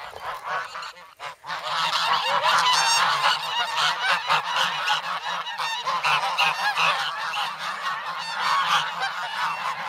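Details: Several young geese, once goslings, noisy and hungry in the snow at Sloterpark, Amsterdam, 3 February, chasing bread and pecking; Sanyo SH1 camera. After a short pause, loud overlapping nasal honks build into a steady, restless babble.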